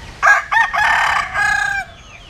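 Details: Japanese-Cuban bantam rooster, offspring of a Jap hen and a Cuban sire, gives one full strong crow: two clipped opening notes, then a long raspy held note that breaks into a second segment before ending.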